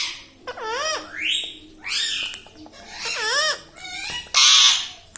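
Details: Pet rose-ringed parakeet, a talking ringneck parrot saying mummy, papa and radhe; several wavy harmonic syllables and upward sweeps, ending in a harsh noisy squawk.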